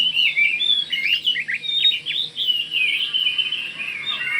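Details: Kalimantan oriental magpie-robin singing to prompt others to reply: a run of squeaky, rapidly changing whistles and chatters against steady hiss and low background noise.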